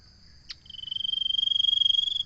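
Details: A common iora gives a drawn-out, rapidly pulsing high trill that swells slightly and holds a level pitch for well over a second. It is preceded by a brief click, with a steady thin whine behind.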